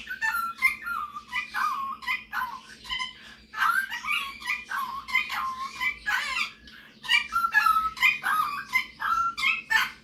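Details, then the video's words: Male pet Superb parrot, his owner's best talker and singer, showing off singing and mimicry in a continuous warbling stream of whistled notes, squeaks and chatter. "Superb Parrot Malibu showing off his singing and mimicking skills"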